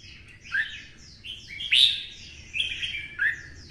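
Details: Red-whiskered bulbul from Vietnam, in twisting-voice style, provoked into a fighting song. Bright, slurred whistled phrases with a loud rising note near the middle, over a noticeable low background rumble.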